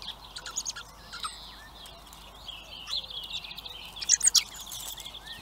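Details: Hungry common blackbird chicks begging at a feeder in Recke, Germany: thin high chirps in rapid overlapping runs, some brief sharp squeaks, with outdoor background noise.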